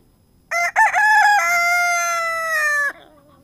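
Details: A Silkie rooster, recorded up close, crows once in response to a neighbouring rooster: two short choppy notes, then a long, level, harmonic-rich note lasting about one and a half seconds and ending abruptly.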